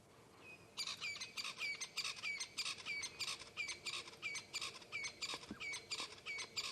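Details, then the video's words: Francolins at sunrise on a calm, windless morning, 24 October 2016, keep up a loud, harsh, rattling racket of rapid raspy notes, one or two a second; first thought crested francolin, then suspected Natal francolin. A thin whistle precedes. "Let's try to find this francolin that's calling. It sounds like a crested francolin."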